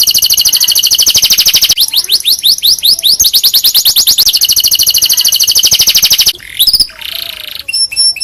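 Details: Domestic canary singing a tutor song meant for training other canaries: fast repeated sweeping syllables and rolling trills, heard through heavy harsh distortion, ending in a few scattered chirps.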